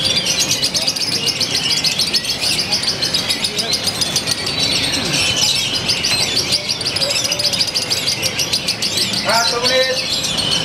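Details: Lovebird from Purwakarta city, Indonesia, prepared for prestigious song events, showing a fresh quirky style with close-spaced pauses: long, shrill, twittering chatter, with lower rising notes near the end. Faint voices are in the background.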